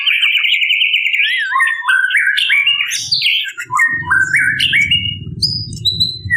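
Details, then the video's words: Female white-rumped shama summoning males with a long, continuous string of stepped whistled notes rising and falling in pitch. From midway a low rumbling background noise runs beneath the bird. "Burung Murai Batu Betina Memanggil Jantan"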